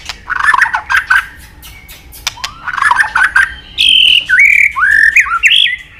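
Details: Singing Medan-type white-rumped shama with varied mimicked phrases: two bursts of fast chattering twitters, a single rising whistle between them, then clear sliding whistles that rise and fall.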